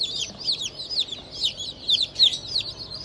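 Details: Many newly hatched chicks (Black Australorp, Sussex, Fizan) from a 25 May 2023 hatch peep loudly, with shrill down-slurred cheeps overlapping in a fast, uneven stream.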